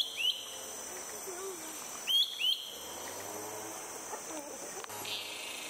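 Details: Malaysian hawk-cuckoo (Hierococcyx fugax) in Selangor, Malaysia, April 2021, calling after catching and eating a caterpillar before flying back to the forest: shrill, sharply rising whistled notes, one then a quick pair two seconds later, over insect hiss.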